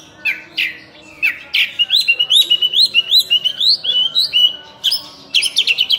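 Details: Oriental magpie-robin, local name burung cincim pala, in energetic song: a few harsh notes, then a steady series of rising whistles repeated several times a second, closing with high trilled phrases.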